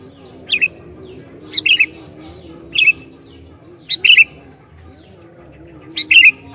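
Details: Sooty-headed bulbul singing actively to provoke other bulbuls: five short, bubbly chirping phrases, each a sharp high note followed by a warbled tumble, spaced about a second apart over a faint low steady hum.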